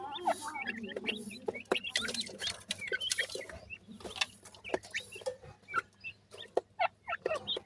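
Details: Grey francolin chicks giving high, short peeping chirps, many rising and falling, scattered through the recording among frequent sharp clicks and rustling handling noises, with a steady low hum underneath.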